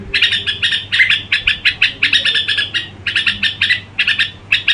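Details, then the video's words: Crooning song of a Red-whiskered bulbul: rapid, bright chirps stacked into fast phrases with quick breaks. A steady faint hum runs in the background. "Tiếng Chim Chào Mào Gù Quá Hay"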